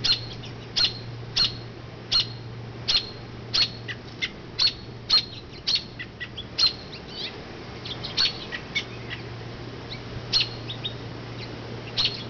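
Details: A mother robin, flown from her low nest in an oak to a nearby branch, repeats sharp, high chirps about once a second, steady and insistent, to draw attention from the nest; faint low hum.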